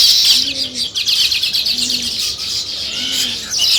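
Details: Continuous high chattering from nest-building weaver birds, many notes overlapping, while a soft low coo sounds about every 1.3 seconds underneath.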